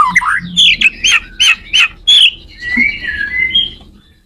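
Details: White-rumped shama singing to teach other shamas: a rising whistle, then six sharp, squeaky notes spaced evenly about every third of a second, followed by a long, fading, wavering high whistle.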